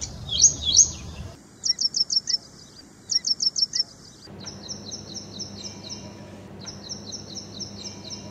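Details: Ashy prinia song: after two loud opening notes, short high chirps come in quick bursts of four to five, then a steadier run of paired high notes at about three per second, with abrupt edits between passages and a low background hum.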